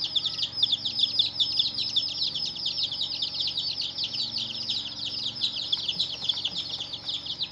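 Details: Domestic chicks chirping together: a dense, continuous chorus of high, short, downward-sliding peeps that overlap constantly, with a faint low steady hum underneath.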